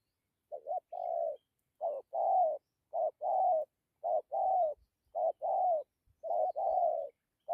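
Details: Cooing spotted dove, a 'thổ' bird with 'dặm' and 'gù' style phrases, calling in a quiet setting; soft, low coos in clipped pairs, a short note followed by a longer, slightly wavering one, about once per second.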